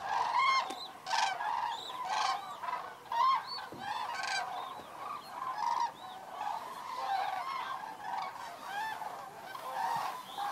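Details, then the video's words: Cranes arriving to roost on the evening of 3 October 2018 at Federow, Germany, shallow water after drought. Loud, nearby trumpeting calls with strong harmonics ring out about once a second over a dense background chorus of the flock. "Einflug der Kraniche"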